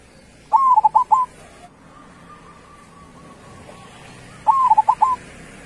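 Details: Local-strain zebra dove kept by its owner and prized for its big voice, giving two cooing phrases about four seconds apart, each a rising note followed by three short, clipped coos at a similar pitch; faint steady tone and background hiss between.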